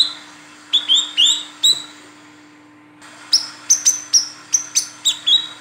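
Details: Female olive-backed sunbird calling for a male, used as a lure: four rising high chirps, a pause, then a fast run of about ten short bright ticks and chirps, over a low electrical hum.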